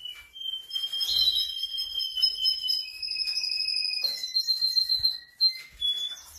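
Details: A Russian canary sings a long, sustained run of high, pure whistled notes and trills, sliding between pitches, with a few short chips near the end.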